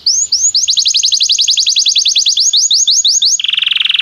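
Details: Training song for a Belgian canary, played to spur diligent singing: a long rolling series of rapid rising high notes repeated many times a second, switching at the end to a lower, denser buzzing trill.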